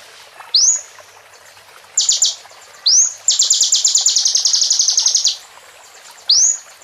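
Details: Plain prinia singing in a training recording packed with bar-winged prinia phrases: sharp high sweeping notes, then a long rapid buzzy trill of repeated high notes, with another sweep at the end.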